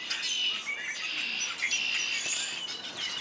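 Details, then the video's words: Several birds chirping together in a dense, continuous high-pitched chorus of overlapping whistles, trills and short tweets with no pauses. "birds chirping"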